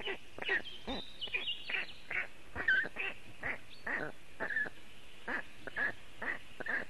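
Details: On a very hot June day in Latvia, young black storks in their nest call for cooling, filmed by webcam: steady series of rough, nasal, quacking calls repeated about twice a second, with faint twittering behind.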